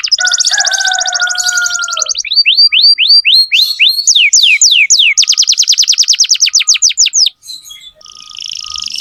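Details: Lively canary song used to tutor young canaries: a fast trill over a low steady whistle, then looping falling whistles, a quick rattling run, and a final buzzy note.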